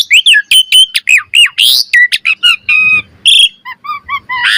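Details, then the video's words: Asian pied starling singing for training other birds, a fast run of loud downslurred whistles and raspy squawks, then softer, lower whistled phrases repeated near the end. "Pancingan Burung Jalak Suren Gacor Mompa Variasi - Suara Masteran Jalak Agar Gacor Full Isian Mewah"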